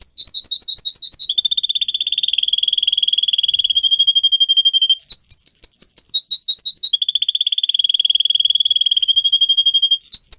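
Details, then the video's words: Canary song for training pet singers, over ten seconds: whistled two-pitch notes open into long rapid rolling trills, broken twice by short bursts of repeated clear whistles before the trill resumes; bright, loud, high-pitched throughout. "Canary song video - type of song"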